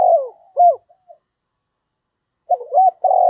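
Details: Spotted dove decoy bird giving a cooing and calling song: two short low cooing phrases with rising-falling notes near the start, a pause of about a second and a half, then another burst of coos.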